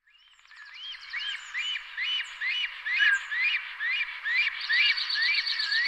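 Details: Black stork calling: a series of arched, wheezy, harmonic notes, each rising then falling, repeated about twice a second and growing louder, with a thin high buzzy trill joining toward the end.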